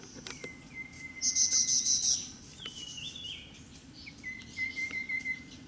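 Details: Rufous-capped babbler searching for worms in bush at Daxueshan National Park, Dongshi District, Taichung City, Taiwan, 30 January 2016, filmed on a Sony Handycam; long flat whistles with a rapid, high pulsed trill between them, then a whistle ending in a short trill.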